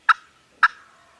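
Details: Gobbling of turkeys on a farm, captured with a Canon G7X: two short, harsh rattling bursts about half a second apart, each trailing off quickly into quiet.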